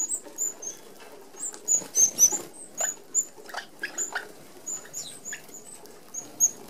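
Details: Flock of Australian red-browed finches at an open aviary feeder: quick, tiny high-pitched tseep notes repeated almost four times a second, broken by short fluttering wingbeats.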